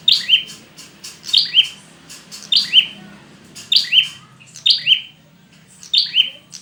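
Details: Prinia call aimed at stimulating silent, stressed birds to sing: quick paired chirps, a high note then a lower buzzy one, repeated almost every second over low background noise.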